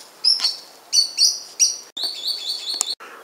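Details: Green sandpiper spring song, dated 24 January 2015: several spaced, ringing whistled notes, then a rapid string of clear high notes ending in a click.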